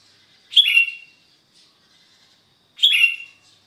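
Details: Sooty-headed bulbul singing energetically on a Sunday morning in Sukanegeri, East OKU, Indonesia: short, bubbly, liquid phrases of a few notes, each under half a second, repeated about every two seconds with quiet gaps between.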